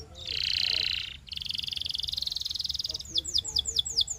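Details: Singing canary on a training recording, holding a loud, steady buzzing trill, then a long, fast, evenly pulsed roll, ending with a series of bright downslurred whistled notes repeated about every quarter second.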